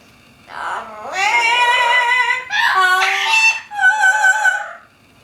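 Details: Two six-week-old double yellow-headed amazon parrot chicks, filmed June 11, 2011, give three drawn-out, wavering, nasal calls, rich and almost voice-like, over about four seconds in a quiet room.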